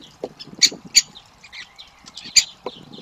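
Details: Young great spotted woodpeckers beg while being fed, giving sharp, high 'kik' notes, three loud ones among softer chatter, with low knocking and rustling sounds underneath.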